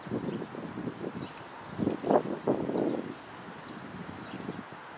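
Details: Domestic pigeon in Ljubljana at Gallusovo nabrežje on 22 May 2023: low, soft cooing swelling into a louder throaty burst midway, over a steady murmur of city background noise.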